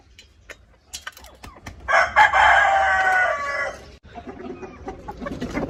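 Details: Domestic chicken kept in a backyard poultry setting crows once, a loud harmonic, slightly hoarse call held for about two seconds. Softer clucks and scattered clicks and knocks come before it, and low murmuring noise follows.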